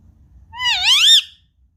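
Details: Single loud screech from a pet Indian ringneck parakeet kept indoors, curious about an iPad: a rich, harmonic call that dips, then rises and arches for about three quarters of a second in a quiet room.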